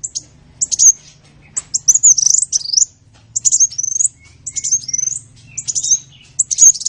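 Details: Sunbird song used to train songbirds: a series of short, bright bursts of thin chirps and rapid up-down notes, each burst lasting under a second, with short gaps between.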